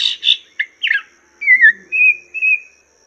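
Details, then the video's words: Master song of a Chinese hwamei for training cage birds: harsh chattering notes open the phrase, then short chips and long steady whistles, with a faint low hum beneath. "Masteran Burung Poksay Mandarin"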